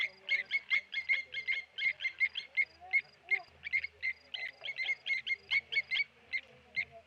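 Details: Clinking alarm notes from Blacksmith lapwings attacking a Tawny eagle at the Okaukuejo Resort waterhole come in quick bursts of metallic 'tink' calls, separated by brief gaps, with a faint low hum.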